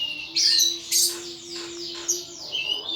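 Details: Pet thrush in a cage, singing hard in ngeplong style, giving quick high slurred whistles and sharp chirps in clusters, over a steady low electrical hum.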